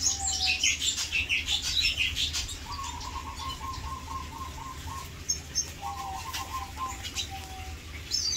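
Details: Captive male Red Siskin of a nesting pair singing beside the nest built in its food dish: a rapid, high, tinkling twitter, then two lower buzzy trills of quick repeated notes over a faint hum.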